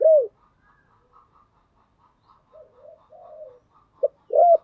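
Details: Spotted dove calling to lure other doves: a loud arched coo opens, then softer distant cooing phrases drift in the background before a short note and another loud arched coo close the passage.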